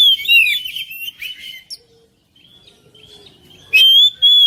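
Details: Song of an oriental magpie-robin, used to prompt a quiet bird: a dense burst of mixed whistles and chattering notes, a lull with soft notes, then two loud clear whistled phrases at the end.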